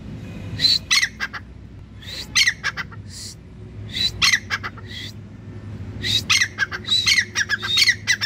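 Grey Francolin giving loud, harsh, screechy phrases in repeated bursts about every second, rising to high squawking notes, over a low background rumble.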